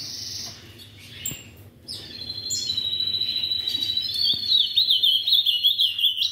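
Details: Held at a breeder's, an ultramarine grosbeak builds a long steady whistled phrase into a fast wavering trill, joined by scattered high chirps and soft clicks.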